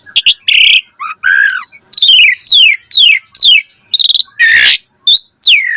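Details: Asian pied starling song for teaching caged birds, varied phrases: quick chirps, a harsh squawk, a series of falling slurred whistles repeated four times, a rasping burst, then a final rising-falling whistle.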